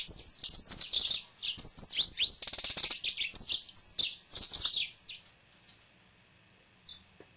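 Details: A caged male yellow-fronted canary sings a lively run of high, slurred whistles and rapid trills, including a brief buzzy rattle, for about five seconds, followed by quiet with a couple of soft isolated chirps.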